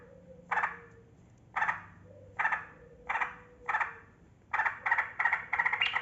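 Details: Yellow-vented bulbul singing vigorously in the long rapid 'ropel panjang' style, played to prompt quiet birds to sing: bubbly chattering notes about once a second, quickening into a rapid run at the end, over a faint steady tone.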